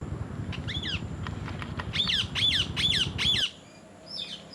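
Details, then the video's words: Parrot calling while eating an apple: a series of harsh, arched squawks repeated about twice per second, loudest in the middle, over low rumbling background noise that cuts out near the end. "Parrot Eating Apple and others parrot natural sound"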